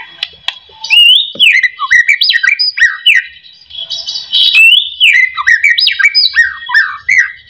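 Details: White-rumped shama song serving as a lure that gets silent shamas singing: two long phrases of loud, fluty whistles that leap up and down in quick succession, separated by a brief quieter gap.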